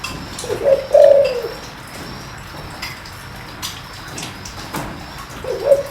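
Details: Spotted dove used as a deep-voiced decoy to lure wild doves: a two-part low coo near 0.7 to 1.5 seconds, a short note then a longer hooting tone, with a new phrase starting at the end. Faint ticks and indoor hiss behind it.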